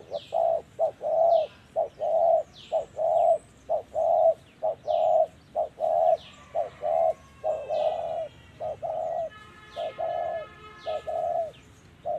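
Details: Trapping of a wild spotted dove with a decoy, the bird cooing in the 'thổ' style. A long, even run of hollow low coos comes roughly once a second throughout. Faint high falling whistles and a brief buzzy tone join behind.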